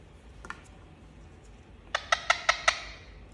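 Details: Indian ringneck parakeet kept as a pet: a couple of faint scratchy notes, a pause, then four loud rasping squawks in quick succession, each sharp and buzzy, against a hushed room.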